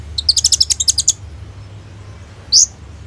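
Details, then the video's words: Sunbird (kolibri ninja) singing for use as a training lure, phone-recorded: a fast run of about ten bright, high ticking notes in one second, then a pause and one loud upslurred squeak. "SUARA BURUNG KOLIBRI NINJA GACOR FULL ISIAN TEMBAKAN MEWAH"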